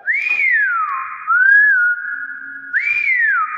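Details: Clever pet hill myna giving clear whistled notes that rise, then slide down into a long level tone, the same swooping whistle repeated near the end; clapping follows.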